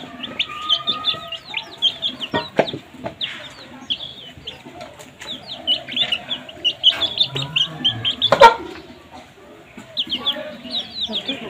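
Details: Baby chicks chirping while feeding on food, a busy overlapping chorus of short high upswept peeps repeated rapidly, with occasional soft lower notes and a sharp knock near the end.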